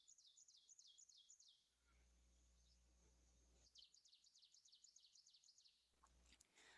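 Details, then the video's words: A secretive, ground-dwelling ovenbird in boreal forest sings its low, strong "teacher teacher" song: two bursts of rapid, ringing two-note phrases, each repeated many times and growing louder, with a low steady hum between bursts. "so let's see if you can hear our little ovenbird going teacher teacher"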